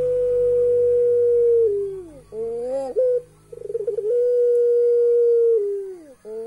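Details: Puter pelung turtle dove giving its eerie laughing call: a long steady low hoot that bends downward, a short rising wavering phrase, a rapid stuttering pulse run, then another long sustained hoot sliding down at the end.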